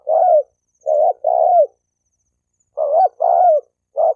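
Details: Spotted dove coo used to excite males and females into fighting: low mellow notes in two groups of three, a longer falling coo in each, with a pause of over a second between groups.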